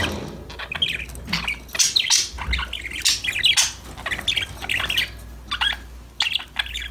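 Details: Budgerigars singing and chattering to one another give irregular clusters of quick, high, twittering chirps mixed with harsher squawks, rising and falling in loudness over several seconds.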